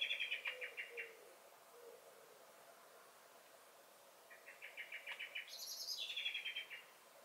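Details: Garden blackbird on 23 May 2021: a fading run of quick notes, a quiet spell, then a rapid rattling series climbing into high, squeaky twittering and falling again.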